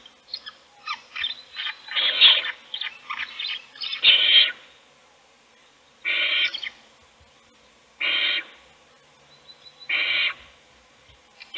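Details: Owl feeding a chick in a nest box while the other chicks sleep; a rapid cluster of short, stuttering hisses opens the clip, followed by three separate longer rasping hisses about two seconds apart.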